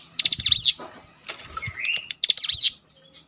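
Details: Cinereous tit singing after a lure recording. Two bursts of fast, high, buzzy zigzag trills are separated by a softer rising whistle, with faint fluttering sounds between them.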